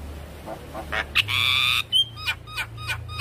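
Javan myna giving a varied, harsh song: a broad buzzy rasp, a sharp whistle, then a run of quick downslurred chirps about three per second.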